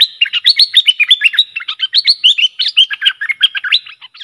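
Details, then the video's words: Bulbul in an agitated, worked-up state, used as a lure against rival wild birds, pours out a dense, fast string of short bubbling, rising and falling notes with almost no pauses. "เสียงนกดอกแตงEp.120 จ้าวขุนศึก ของขึ้น!!? 2หลักนกป่าหายหมด Suara pikat merbah lekir"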